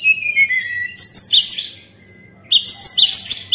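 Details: Lure song of the white-browed shortwing: descending whistled phrases, then bright chattering bursts of repeated high notes, a short pause, and the chattering starts again.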